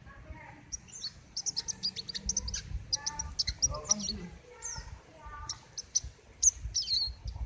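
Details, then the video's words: King konin sunbird in full, vigorous song, loud and sharp: dense runs of high, piercing chirps and quick down-slurred notes, repeated in bursts over steady low background noise. "Burung "KING KONIN" Trotol Gacor Ngerol Mantap !!!"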